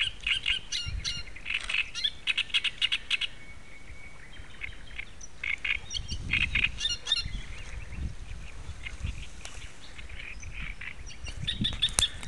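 Great reed warbler song: loud, harsh, grating phrases of repeated chattering notes, delivered in bursts with short pauses. Low wind rumble underneath.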